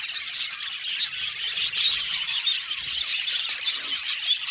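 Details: Colony of budgerigars in an aviary: dense, continuous high chirping and warbling chatter from many birds, with sharp tweets and short squeaks overlapping throughout.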